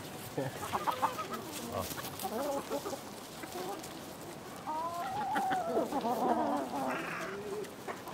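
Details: Village chickens in a relaxing countryside setting, a flock clucking and murmuring in overlapping bursts, with a louder drawn-out cackle rising near the end among rustling background noise.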